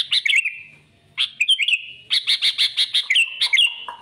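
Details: Rival-seeking song of a sooty-headed bulbul, played to attract birds for trapping: a chirpy burst, a brief pause, then a rapid, evenly spaced series of sharp notes mixed with slurred whistles.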